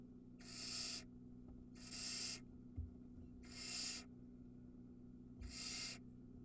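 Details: Barn owl chick at the Ram-on nest cam, Israel, feeding and swallowing a mouse in one motion: four rhythmic, rasping hisses repeated roughly every one and a half seconds, each about half a second, with soft thumps and low hum.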